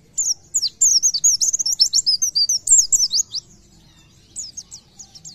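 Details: Loud, vigorous 'gacor nembak' song from an Oriental white-eye: dense, high, tumbling chirps and downslurs in quick bursts, a second of quiet, then a short closing phrase of sharp notes.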